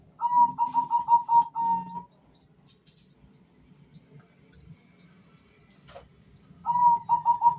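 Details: Male Bangkok zebra doves in a calling exchange. A fast burst of crisp, staccato notes at steady pitch stops for several quiet seconds, then returns in a second rapid burst.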